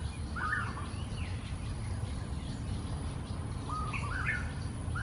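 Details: Raucous calls from a flock of wild golden-backed weavers building nests at dawn in pond trees in Singapore: quick clustered chattering notes at the start and again near the end, with a constant low background hum.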